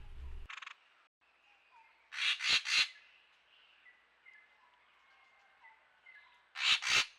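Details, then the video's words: A Racket-tailed Treepie arriving at a camera-trapped forest pool in Huai Khayeng Nature Park in dry February 2025 gives loud, harsh, grating calls in two bursts, three notes then two, with thin high whistles from other birds behind. "That big call is not from the little Taiga Flycatcher but from an incoming Racket-tailed Treepie."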